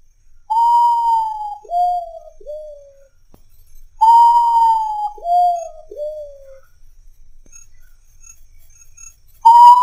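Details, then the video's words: Nocturnal urutau (Common Potoo) heard at midnight repeating its descending whistled phrase twice, about four seconds apart: a long high note, then two briefer falling notes, with a third phrase starting at the end. "SOUND OF URUTAU AT MID NIGHT"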